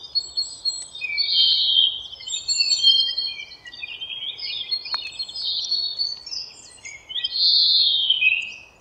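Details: Birds in a forest produce a busy chorus of high twittering, with rapid chirps, buzzy trills and thin overlapping whistles rising and falling in waves over a soft constant background hiss.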